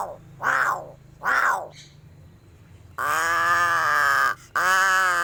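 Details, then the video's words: Crow giving two short harsh caws, then a long, steady, strongly harmonic nasal call lasting over a second, followed by a brief gap and another similar drawn-out tone. "SUARA ANEH Burung GAGAK"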